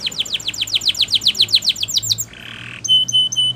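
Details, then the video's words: A Gloster canary sings a training song in a quiet room: a fast rolling trill of about thirteen downward-sweeping notes, then a brief buzzy note and sharp high whistles. "Gloster Canary Singing"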